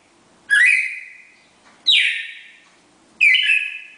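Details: Classic four-note Bagé song from a pair of red-crested cardinals, three strong whistled phrases roughly 1.3 seconds apart, each opening with a quick upward sweep before a long fading tone, in a quiet setting.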